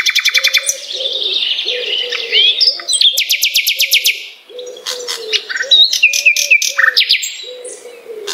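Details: Song of a Common nightingale, Luscinia megarhynchos, used as master song for murai batu: rapid series of hard repeated notes alternating with sweet whistled slides, over a steady line of low, hoarse, wavering tones.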